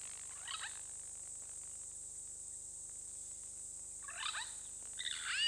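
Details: One of a pair of purple rollers at Hyena Pan Camp, Khwai Private Reserve, Okavango Delta, Botswana, filmed by a webcam, gives three short, harsh, rasping calls, spaced unevenly, over a steady high-pitched insect drone.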